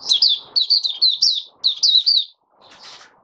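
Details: Oriental white-eye kept in a cage, in open song five days after monthly deworming, January 2022; two short bursts of rapid, high, sweet twittered phrases separated by a brief pause, then soft rustling.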